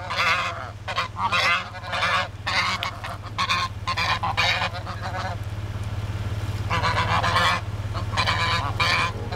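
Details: Geese that chase joggers and come after cars honk harshly in clustered bursts, then fall quiet for a moment before honking again. A constant low vehicle engine hum sounds throughout.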